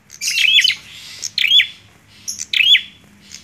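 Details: Bar-winged prinia giving a few emphatic chirped notes, each a quick upward-then-downward flick, with a faint low hum underneath.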